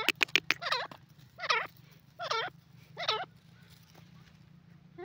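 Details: A rapid flurry of sharp notes comes from a francolin, followed by four harsh, harmonic, wavering calls about three-quarters of a second apart. A continuous low hum sits in the background.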